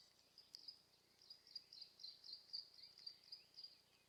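A hawfinch gives thin, high, clipped ticks, about four a second, fairly quiet, with faint softer notes and a light background hiss.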